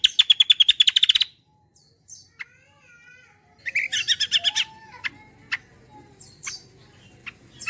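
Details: Kecial kombo song used as a lure for other birds: a rapid high trill opens, then soft wavering whistles, a dense burst of buzzy chatter, and scattered thin chirps.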